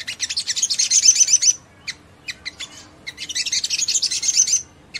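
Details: Ngleper-style Crimson Sunbird song, used to set off other sunbirds: two long bursts of very fast, high, sizzling chatter separated by isolated sharp ticks.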